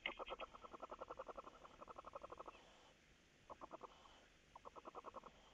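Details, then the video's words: Barn owls at feeding time, recorded 27 May 2018 around 03:06 at night: rapid trains of short, evenly spaced pulsed notes, about eight per second, running for over two seconds, then two shorter bursts after brief pauses. "Kerkuilen, voedering"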